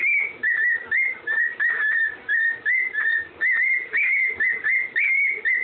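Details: A parrot whistles the Andy Griffin tune in a steady string of about fifteen short notes, each slightly bent, all at nearly the same pitch with small upward flicks.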